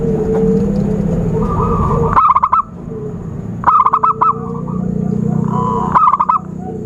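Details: Zebra dove lure call for trapping: three bursts of quick staccato cooing notes, roughly one and a half seconds apart, over a low hum and whistles from other birds.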